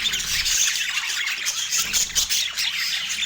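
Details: A pet parakeet at breakfast on an autumn morning; short burst of shrill, squeaky chatter with thin whistled notes mixed into continuous scratchy twittering.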